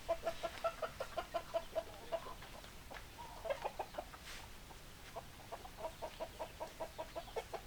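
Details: Hens clucking in a busy, steady stream of short clipped notes, roughly two to three per second, with a brief louder stretched call midway and a soft background murmur throughout.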